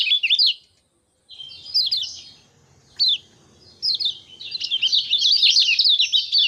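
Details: Common iora (kecial kuning) ngejos song, 6 December 2024: scattered short bursts of sharp high chirps separated by pauses, ending in a sustained rapid chatter, with faint low rumble in the background.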